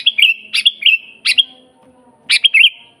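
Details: Energetic sooty-headed bulbul song, for training bulbuls that rarely sing and luring wild birds: quick run of short bubbly, whistled notes in close succession, then a pause and another fluty phrase; soft low hum between.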